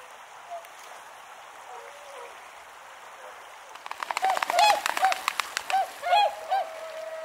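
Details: Tundra swans at cold, snowy Azumino, Japan, on a cloudy -4°C winter day: a quiet opening with faint distant honks, then a burst of loud, closely spaced nasal calls from several birds in the second half.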